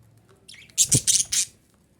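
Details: Female budgerigar calling to encourage breeding, a short burst of four quick, harsh, high chirps after a faint rising squeak, over quiet background.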